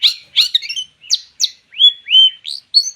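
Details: Long-tailed shrike singing as a lure for other birds: a few rasping chips, then clear whistled notes, some drawn out and level, others short and upslurred, spaced through three seconds with quiet gaps.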